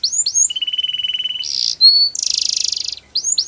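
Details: Canary training song: thin rising whistles give way to a long rapid rolling trill, a brief harsh burst, a sharp clear note, then a dense buzzy high roll and more upward-swept whistles, all bright and high-pitched.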